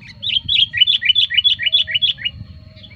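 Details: Sooty-headed bulbul used for luring wild bulbuls: a fast, even string of about a dozen bright, bouncing chirps, each slurred downward, delivered in under three seconds over a steady low background hum.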